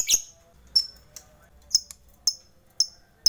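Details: Lovebird bait call for stirring quiet rival lovebirds into song. Isolated sharp, high chirps come about every half second, each a thin piercing note, with near silence between them.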